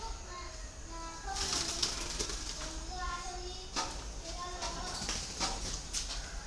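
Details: Spotted dove of the Vietnamese 'cu thổ đồng' type giving steady, tonal coos in a short series, partly masked by people talking and clattering noises, over a constant background hiss.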